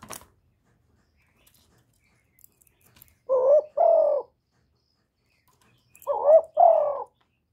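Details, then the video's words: Spotted dove kept as a decoy, recorded without background noise to stimulate other doves; after a quiet stretch, two mellow coo phrases, each a brief rising note joined to a longer falling one, about three seconds apart. "Cu gáy hạp bổi {GÁY GỌI+THÚC+KÈM+GÙ khống} kích bổi hiệu quả. Cu đất gáy, tiếng cu cườm. Cu gáy mồi"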